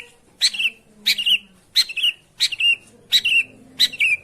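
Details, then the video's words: Long-tailed shrike, played to prompt a silent bird to sing: six harsh, scratchy notes, each ending in a short falling whine, about one every two-thirds of a second, with faint low hum behind. "suara pancingan burung pentet macet/malas bunyi"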